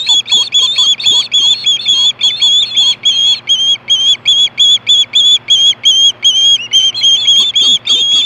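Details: At Hellgate in 2014, 4:19 PM, an osprey screams for fish with a long, steady barrage of shrill, evenly spaced whistled chirps, about two per second, ringing and insistent.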